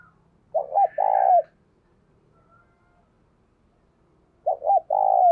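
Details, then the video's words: Spotted dove used as a lure for wild doves, giving two phrases: a wavering double note, then a long rolling coo that drops at its end, with a quiet gap between. "Tiếng Chim Cu Mồi THÚC Và GÁY GỌI Bổi, Dùng Kích Bổi Rất Hiệu Quả"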